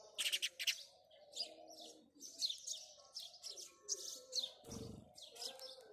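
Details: House sparrows chirping in the morning, starting with a loud burst of harsh chirps, then steady sharp chirps roughly every half second, a low cooing hum behind and a single dull knock near the end.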